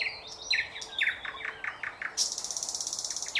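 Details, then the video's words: Thrush nightingale, 2024: a tumbling string of descending, slurred chuck notes, then an abrupt, very fast, high, dry trill of evenly spaced pulses. "bulbul ovi vostochniy Nightingale singing соловей восточный"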